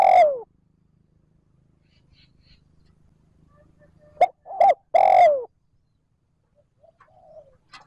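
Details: Spotted dove calling 'trơn ròng' style to lure wild doves: a loud falling coo, a stretch of faint low hum, then a full phrase of two short coos and a drawn-out descending note, soft cooing afterwards.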